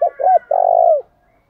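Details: Spotted dove call used to stir birds into singing: two short arched coos followed by a longer, slightly rolling drawn-out coo that falls away at the end, then silence.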